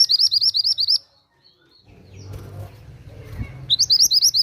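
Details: Mantenan gunung singing keenly, used for prompting other birds and as master song for caged songbirds. Rapid high whistled notes end a burst, then a lull with low rumble, then a new burst of rising whistles.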